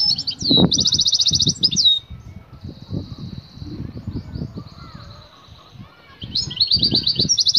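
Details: Excited female European goldfinch calling a male to mate: rapid buzzy high trills in bursts, a long thinner sustained note in between, with low thumping and fluttering sounds underneath.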